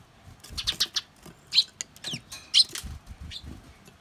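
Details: Wild Eurasian tree sparrows, usually together, suddenly quarrelling over food: harsh, high chirps and short buzzy notes in uneven bursts, mixed with fluttering wingbeats and soft thumps.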